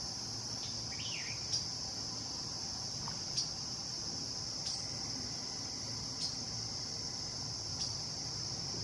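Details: Northern waterthrush at White Clay Creek Preserve, Chester County, Pennsylvania, on September 11, 2015, gives sharp metallic chip notes about every one and a half seconds over a steady, high insect drone; another bird twitters briefly near the start.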